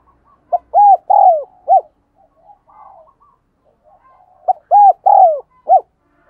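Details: Decoy-training thúc gù coos of a spotted dove, meant to make wild doves answer: two four-note phrases of rounded hoots, a long falling note in each, with faint murmuring coos in the gap between them.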